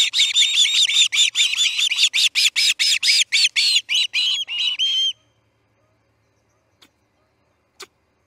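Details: At the Charlo osprey nest during a chick's fledging, early morning of August 10, 2018: a rapid string of about eighteen piercing, slightly downslurred chirps for five seconds, then quiet with two faint clicks.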